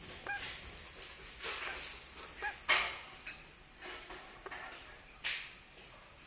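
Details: Baby crow giving a series of harsh, nasal, scratchy calls in short bursts at uneven intervals, roughly eight across six seconds, one louder than the rest, over a faint background hiss.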